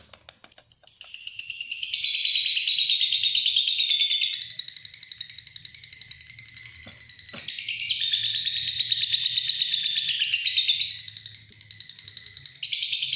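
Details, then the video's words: Sustained lovebird ngekek: a shrill, fast, buzzy chatter that starts high, slides lower, breaks briefly and resumes repeatedly across thirteen seconds, with a faint low hum. "Love bird ngekek panjang"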